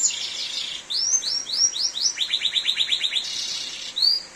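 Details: Canary singing in heavy rain: a bright, rapid run of high whistled notes, first a few upslurred sweeps, then a quick trill of about ten falling notes, over steady rain hiss.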